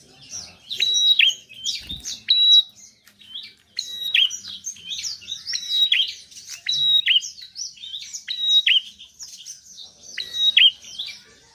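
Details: Bar-winged prinia's lively 'gacor' song, played to stir reluctant birds into singing: a long run of high, bright chirps with about seven repeated flat whistles each falling into a sharp downward slur.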